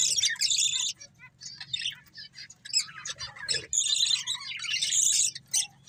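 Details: Pair of breeding budgies chattering: clusters of squeaky chirps and harsh warbled phrases, quieter scattered notes in the middle, then a loud busy burst, over a faint low hum.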